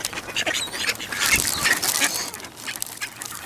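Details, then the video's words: Ducks being fed shredded wheat at the Newburgh waterfront on 23 November 2014, 55 F; a flock gives constant overlapping raspy quacks and chatter. "Ducks 11-23-2014 Newburgh Waterfront feeding"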